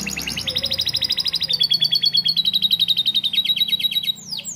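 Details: Canary singing a song filled with lovebird-style notes, used as a tutor song for young canaries: a fast, bright trill of about thirty evenly repeated high chips that ends in a quick falling sweep, with faint low hum beneath.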